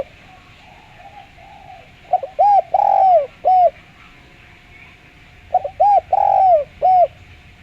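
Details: Spotted dove with a clean voice, used as a lure to make doves call: after a few faint notes, two full phrases of four coos each, a long sliding coo in the middle, repeated about three seconds apart.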